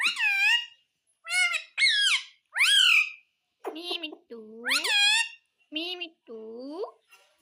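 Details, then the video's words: A pet parrot talks indoors in a string of about eight loud, harmonic, voice-like syllables, some bright and squawky, others lower and nasal, each bending downward, separated by short gaps. "Talking parrot"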